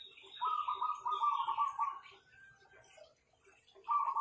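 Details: Zebra doves owned as songbirds, noted for strong voices: a soft, fast-pulsed rolling coo lasting about a second and a half, a quieter stretch with faint higher tones, then the trilled coo starting again.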